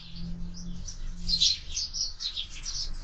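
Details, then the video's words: Sparrows feeding at a feeder mounted on a window, giving quick, high, thin chirps in rapid overlapping bursts. A steady low hum runs underneath. "Воробьи в кормушке"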